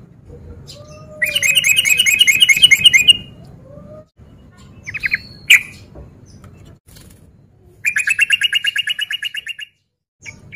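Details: Breeding-condition male sooty-headed bulbul used as a fighting lure: two bursts of fast, rattling repeated notes separated by gaps with a few scattered sharp chirps and a low whistled slide, quiet background between phrases.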